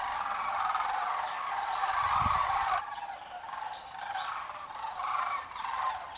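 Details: Thousands of sandhill cranes on migration along the Pacific flyway, feeding and dancing in farm fields in Oregon or Washington; a strong chorus of purring, trumpeting rattles, loud at first, then easing into separate calling waves.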